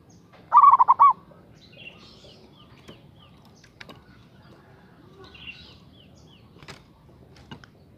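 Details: One stuttering cooing phrase from a local zebra dove calling a rival opens the recording, followed by faint chirps of other birds, scattered clicks and soft background noise.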